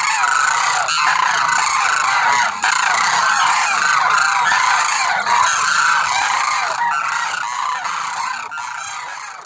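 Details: Demoiselle crane (koonj) flock giving loud, raspy honking calls, about three notes a second over an unbroken chorus of overlapping voices that fades slightly toward the end.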